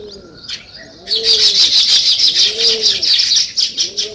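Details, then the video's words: Sparrows break into loud, continuous chirping after a quiet first second, a dense wash of high twittering notes. Low, rounded dove coos repeat steadily in the background. "Natural Sparrow Chirping Sounds"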